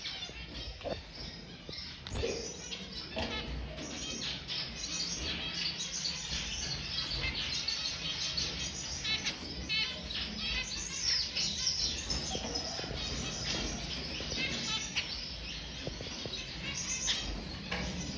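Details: Zebra finches settling down to sleep chatter with a steady stream of short, high, nasal chirps and beeps.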